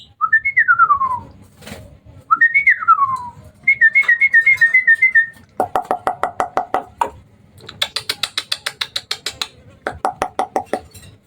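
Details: At night, a hybrid Asian pied starling sings: two whistled notes falling from a high peak, a quavering whistle, then long fast rattles of clicks repeated in bursts.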